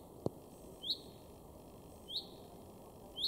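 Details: Male Common chaffinch in a garden in Weener, East Frisia, northwest Germany, March 2022, gives short, sharp, high rising call notes, three spaced about a second and a quarter apart, with one soft click early on.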